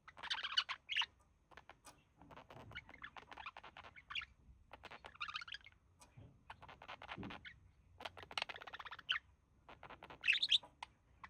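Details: Male budgerigar mimicking human speech while relaxing beside his mate; bursts of rasping, chattering warble alternate with quieter clicking stretches, ending in a sharp high squeak.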